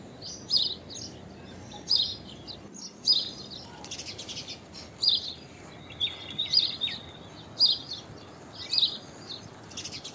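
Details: Common myna giving an unusual call: sharp, high chirps in short bursts about once a second, with a brief grating whistle partway through; faint background noise throughout.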